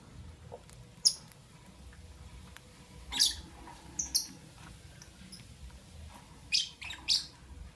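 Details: Lovebirds, albino and Euwing green opaline, chirping in the morning: short, sharp, very high chirps spaced a second or more apart, a pair close together near the end, over a quiet background.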